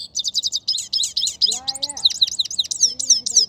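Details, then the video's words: A Himalayan goldfinch, possibly recorded in Quetta, sings a quick, high, tinkling run of twittering chirps and buzzy trills, about four notes a second; a low voice is heard briefly behind it. "mast saira singing"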